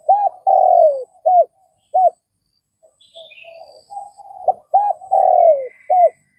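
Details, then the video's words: Spotted dove from Vietnam gives its cooing phrase twice: short hooting notes around a drawn-out falling coo, with faint high chirps of other birds in the pause. "Tiếng cu gáy Việt"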